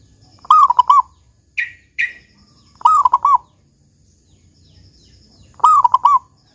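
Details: Local zebra dove with the big 'kung' song style, played as a lure to set other zebra doves singing: three rolling, trilled coo phrases about every 2.5 seconds, with two brief higher chirps between the first and second.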